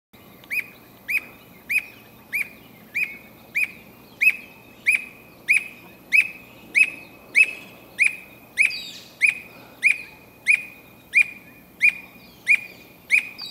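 A squirrel cuckoo gives a long, steady series of sharp, clear notes, about three every two seconds.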